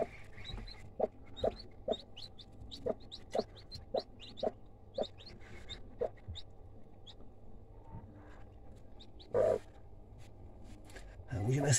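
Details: Broody hen with newly hatched chicks: low, short clucks repeated about twice a second, with thin high peeps scattered over them and a brief louder rustle near the end.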